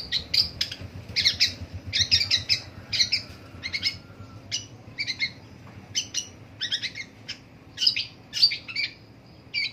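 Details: Morning vocalizing by a long-tailed shrike: bright, clipped chirps and short scratchy bursts delivered in quick clusters, repeated steadily through the whole passage with faint low rumble beneath.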